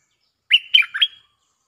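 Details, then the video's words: Bulbul lure song: one brief, loud phrase of three slurred, liquid notes running together, with a bright whistled edge. "เสียงนกดอกแตงEp.153 ฟังกันยาวๆเพลงจ้าวแบงค์ มีเบิ้ล เพลงเพราะน่าฟังSuara pikat merbah lekir gacor"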